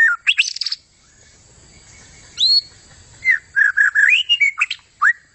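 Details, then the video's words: A long-tailed white-rumped shama in vigorous full song: a burst of sharp whistled notes, a pause of over a second, then a clear rising whistle and a run of short, slurred whistles and chips. "Inilah aksi gacor super maut dari murai buntut panjang"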